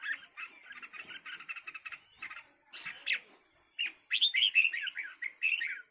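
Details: Fighting red-whiskered bulbuls give rapid buzzy chatter in quick trains, then louder scratchy, warbled notes rising in intensity toward the end.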